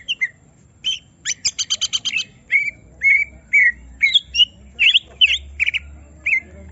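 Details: Caged greater green leafbird provoked into full song: a rapid rattle, then clear whistles and twisting chirps at a brisk, uneven pace, with a low hum beneath.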